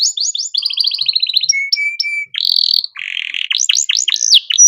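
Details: Canary singing a master song for young birds, quick changing phrases of rapid trills, pure steady whistles, a buzzy rattle and sharp down-swept notes in fast succession.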